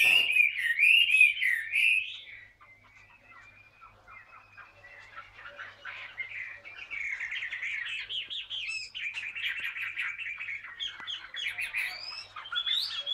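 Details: Wild-caught Chinese hwamei with green-tinged feathers, caged two years, sings ngũ trường style. A two-second burst of loud, fluid whistles drops to near silence, then a long, softer stretch of rambling warbles builds again toward the end.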